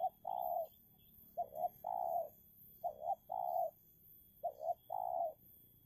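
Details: Low cooing of a spotted dove used as a decoy against a wild rival dove. A quick paired note is followed by a sustained coo in a regular cycle, heard three times, with faint distant chirps.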